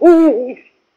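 A Eurasian eagle-owl gives one deep, rich hoot lasting about half a second, steady and then dipping slightly at the end.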